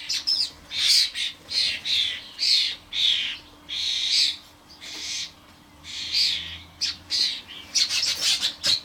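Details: Garden feeder visited by adult common starlings and their fledglings: a busy run of rough, hissing, screechy calls, repeated almost continuously with brief pauses, loud and high-pitched.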